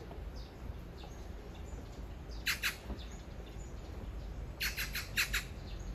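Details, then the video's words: A magpie serenading a mate a few meters away, calling again and again; loud harsh chattering bursts, a pair of rasps then a fast string of five grating notes, with softer distant chatter and low rumble. "까치의 사랑(몇 미터 옆에다 두고)"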